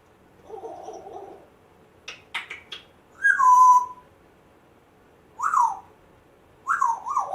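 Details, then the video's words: Rescued pet African grey parrot, one month after rescue, makes odd mimicked sounds: a low hum, short clicks, then loud whistled notes that swoop down, followed by two more rising-falling whistles. "Hilarious African Grey parrot talking, funny weird sounds"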